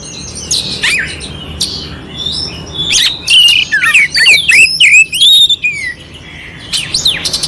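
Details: An oriental magpie-robin's rough-filled song, played to rouse an unmotivated magpie-robin: quiet scattered notes build into a dense run of rapid swooping whistles and rasping chips, roughly two or three per second, before fading.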